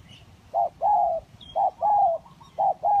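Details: Kacuk and village spotted doves used for luring: steady rhythmic cooing, each phrase a short note followed by a long smooth coo, repeated about once per second.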